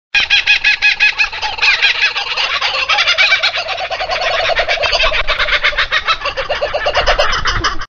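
Laughing kookaburras fill eight seconds with loud, rapid, cackling chuckles that rise and fall in waves, likely several birds calling together.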